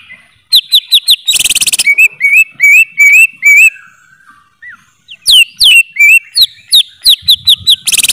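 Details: Greater green leafbird song: quick runs of sharp, high chirps and short rising whistled notes, given in bursts with a pause mid-way, broken by brief harsh rasping bursts.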